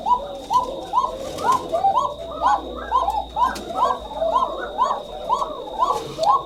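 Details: A thin-voiced Shalik pair of Koka pigeons, calling at dusk under a camera light and somewhat frightened, give thin, rising coos in quick, overlapping succession, about two each second.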